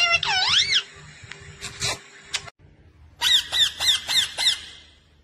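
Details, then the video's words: Pet parrot that talks, said to speak "mummy papa": a wavering, warbled vocal phrase opening the recording, a short gap, then five clipped, downward-bending squawks in quick succession over a low background hum. "बोलने वाला तोता मिट्ठू talking Parrot mummy papa"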